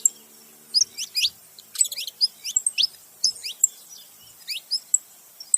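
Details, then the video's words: Saffron finch pair, male and female, calling: soft, scattered high chirps and short falling notes with brief pauses, plus a quick rattled burst, against a quiet background. "canário da terra macho e fêmea junto fazendo barulho"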